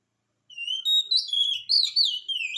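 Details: Oriental magpie-robin song used to stir a lazy bird into answering: a steady flow of sweet, slurred whistles, rising and dipping in quick succession for two seconds, with a clean, quiet background.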